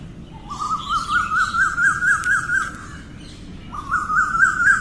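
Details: Asian koel calling in the morning: a rising series of short paired notes climbing steadily in pitch, given twice with a pause between, over a low rumbling background and faint higher chirps from other birds.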